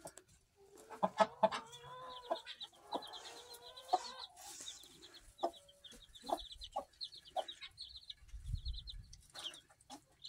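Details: Black Australorp mother hen with chicks hatched 1 September 2023, recorded 14 September 2023: low soft clucks and short tonal calls at the start, with steady rows of thin high chick peeps running throughout, plus scattered taps and rustling.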